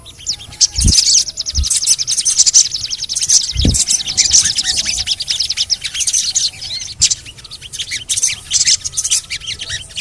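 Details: Crimson sunbird (sogon) calls offered as a lure to make other sogon birds sing: dense, rapid high chirps in long fast trills, bright cheeping notes, with a few low thumps early on and steady background hiss.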